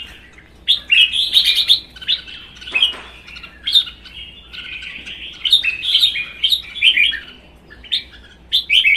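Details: Two caged red-whiskered bulbuls in a singing contest, one a wild-caught adult kept one season and fanning its tail. Rich, bubbly warbled phrases burst out in rapid succession, short liquid notes rising and falling, with brief pauses between outbursts.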